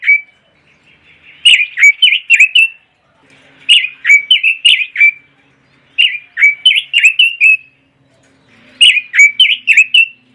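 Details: Red-billed leiothrix song for training competition birds: four bursts of rapid, lilting warbled notes, each about a second long with gaps between, plus a faint low hum in the background.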